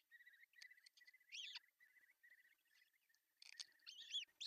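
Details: Osprey nest in Pohjois Satakunta, Finland, on June 10, 2024, with the male bringing a fish for breakfast; soft, steady high peeping notes repeat rapidly, broken by a few louder arched squeals.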